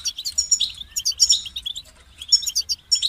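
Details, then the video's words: European goldfinch delivering lively, high twittering song with ringing trills and quick chirps, in phrases separated by short pauses, meant to motivate singing goldfinches. "Highlighting motivating songs for creative goldfinches in simple ways"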